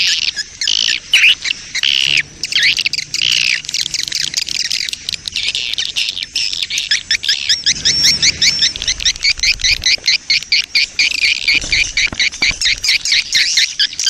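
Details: Swiftlet colony lure sound in the breeding-mood colony style, used to attract swiftlets: a dense, continuous mass of high chirps and twittering squeaks, with rapid clicking runs in the second half.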